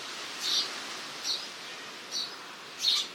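A House Sparrow gives four short, bright chirps, about one every second, over a steady soft hiss.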